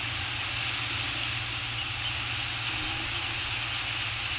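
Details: Constant loud hissing noise with a low hum underneath, no animal sounds.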